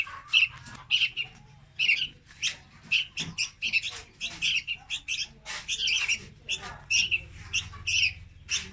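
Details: Red-whiskered bulbul chick, its song played to lure birds into traps, giving bright, high chirps in bursts about every half second, some notes slurred, with a faint low hum beneath.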